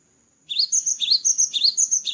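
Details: Cinereous tit, post-moult, sings quick high double notes, each a sharp whistled slur repeated evenly about six times a second in a brisk, clear sequence.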